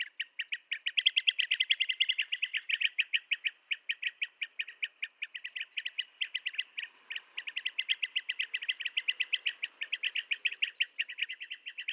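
Blue-tailed bee-eaters give a steady stream of rolling, liquid chirps, several per second, bright and mid-high. The calls overlap as if from more than one bird.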